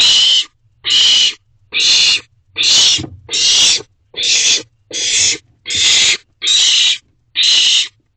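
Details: Nighttime at a nest box with several bonded owlets, 26 June 2023: ten rhythmic rasping hisses in about eight seconds, loud and steady, over a soft low hum.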